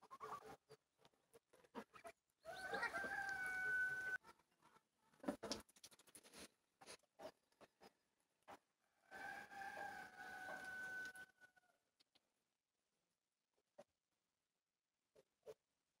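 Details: Roosters (young, growing) crow twice in the morning after a night of rain in Siberia, each a loud, hoarse call ending in a long, drawn-out note.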